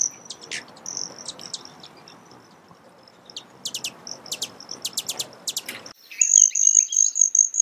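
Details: Broad-tailed hummingbird: sparse high chips, then a clustered series of crisp clicks, ending in a louder shrill trill after a brief break.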